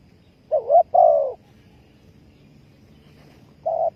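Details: Spotted dove lure call for trapping: one wavering note and a longer coo, then a quiet pause and a brief softer coo at the end.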